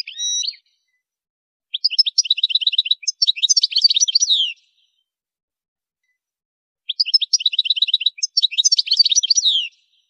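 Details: European goldfinch singing, played to stimulate and train songbirds; two bursts of high, fast tinkling twitter, each about two and a half seconds long, separated by silence, with a brief rising whistle at the start.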